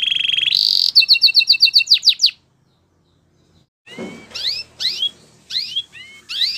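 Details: Canary training song: a buzzy trill and fast clipped notes, a pause of silence, then scattered rising whistled phrases.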